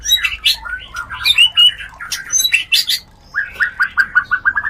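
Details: White-rumped shama mating vocalisation, a lure for raising breeding drive: jumbled whistles and chatter, a brief pause, then a run of repeated falling notes.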